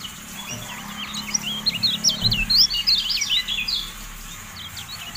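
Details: Javan white-eye singing in a recording meant to train caged birds: a rapid, jumbled run of high twittering notes that swells in the middle and fades toward the end, over a steady hiss.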